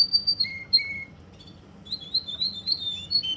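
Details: Russian canary in Kuwait giving high whistles and a lower sliding note, a short pause, then a quick run of chirped high notes in close succession.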